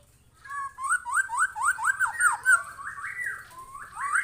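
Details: White-rumped shama singing in response to a lure recording: a fast series of rising whistled notes, about four per second, that run into longer looping slurred phrases, loud and clear over a faint low hum.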